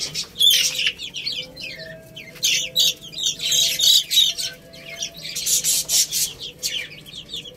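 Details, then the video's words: A group of little chicks pecks at rice, pouring out quick high chirps in waves, almost four a second, mixed with crisp clicking bursts from beaks on the grain. "Cute Little Chicks Eating Rice | Beautiful Chicks Chirping Sounds"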